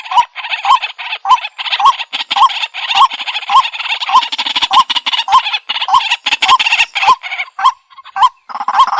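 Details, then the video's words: Waterhen calling, as used in bird trapping: a steady series of short rising notes, roughly two per second, half buried under continuous rough, raspy chattering. "Jal Murgi Ki Sound |Jal Murgi Call Voice | Ban Murgi Ki Awaaz"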